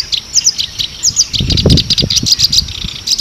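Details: Reed warbler (kerak basi) in full, lavish song, likened to a Javanese sikatan londo: high chirps and short doubled notes come in quick bursts, with low thuds and knocks underneath.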